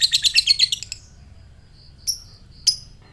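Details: Fighter lovebird ngekek meant to provoke a response from other lovebirds: a second of fast, shrill chattering notes, then quiet with a few faint high tones and two sharp, sudden squeaks.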